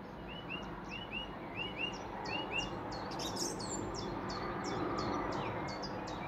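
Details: Song thrush singing in Weston village on 30 April 2023: short paired upslurred whistles repeated several times, then a run of sharp, high, clipped notes repeated in series, over a steady low background rumble.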